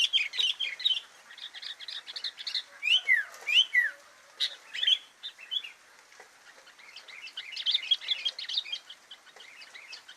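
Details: Sooty-headed bulbul singing actively in a filler-song recording: a busy stream of quick, high chirps and short whistled notes, with a few clear downslurred whistles near the middle and steady twittering throughout.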